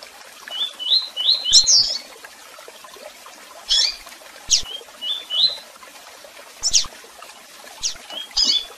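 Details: Tui tui song of a double-collared seedeater, with calls: a short run of rising whistles, then several sharp, descending high chirps mixed with brief whistled pairs.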